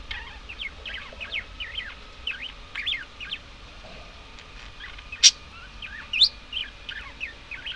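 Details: Budgerigars chattering: a busy, continuous stream of short, twisting chirps and warbled notes, with two sharp louder clicks partway through and a faint steady hum underneath.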